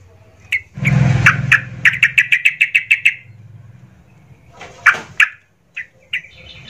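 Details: Yellow-vented bulbul in agitated song meant to provoke rival bulbuls: a rapid run of short, sharp chattering notes over low rumbling background noise, followed by a few scattered louder notes.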